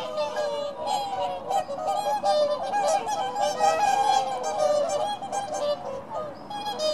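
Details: Whooper swans, a flock trumpeting together at Ängö, Kalmar, on 24 January 2018: loud, bugling, nasal calls that overlap almost without pause.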